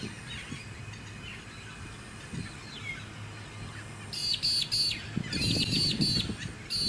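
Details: Comb-crested jacana at a small artificial lake on the Sunshine Coast, Queensland, in March 2018. After four seconds of faint background birdsong and low suburban rumble, a series of loud, high, squeaky repeated notes bursts out in quick clusters.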